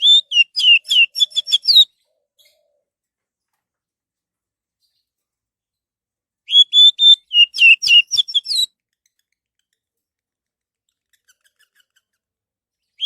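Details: Two bursts of orange-headed thrush song, used as a lure so other birds will sing: each a roughly two-second jumble of rapid high whistles and chirps, separated by about five seconds of silence.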